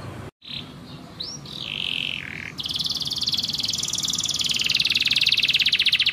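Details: Canary song for tutoring young or stalled birds: a few short whistled and buzzy notes, then a loud sustained fast rolling trill that keeps going steadily to the end.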